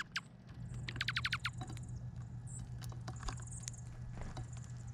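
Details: Chickadees at a bird feeder on Vancouver Island: a quick run of sharp, descending chirps around the first second and a half, then scattered faint ticks over a steady low hum and light tapping.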